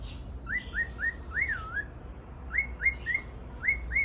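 A male cockatiel whistles a song of quick rising notes and a wavering phrase to attract a female.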